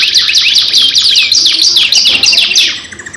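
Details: Caged canary giving a long 2-in-1 lure song: fast bright sweeping chirps tumbling downward, growing softer toward the end.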